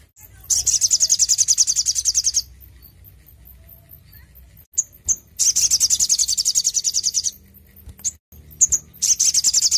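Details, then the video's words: Crimson sunbird in lively song, used as a lure to get captive birds singing: two long high, thin rapid trills of evenly repeated sharp notes, each about two seconds, separated by brief chips and a quiet pause. "sogon gacor cocok untuk masteran dan pancingan bunyi burung bahan"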